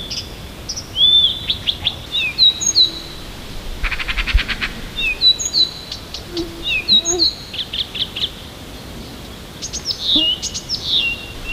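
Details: Siberian songbird singing on a morning near Tomsk, many different varied phrases: clear whistles, falling slurs and short chirps high in pitch, with a brief buzzy rattle midway and pauses between verses.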